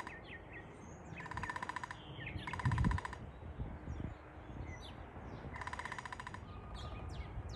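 A Downy Woodpecker drums in three short, fast, even rolls, each about a second long. Other small birds chirp faintly, with a low background rumble.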